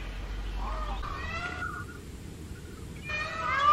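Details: Immature short-tailed male Indian peafowl screaming by a road in the summer breeding season. Nasal, harmonic wailing cries come in two bursts separated by a quiet gap, and the second burst ends louder.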